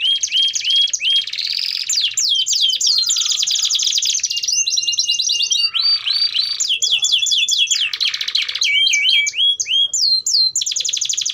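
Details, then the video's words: Domestic canary in long, continuous full song, used as a tutor for young canaries learning to sing: rapid trilled tours and rolls, repeated whistled upslurs and sharp high chirps, loud and unbroken throughout. "Kenari Gacor Durasi Panjang || Ampuh Buat Pancingan Kenari Paud Belajar Bunyi"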